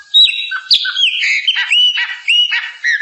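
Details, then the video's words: Song of a chopi blackbird (pássaro preto, papa-arroz): a continuous flow of rich whistled notes, some sliding downward, others upslurred, broken by harsh buzzy bursts and clicks, loud and close with no other sounds. "Canto pássaro preto- papa arroz."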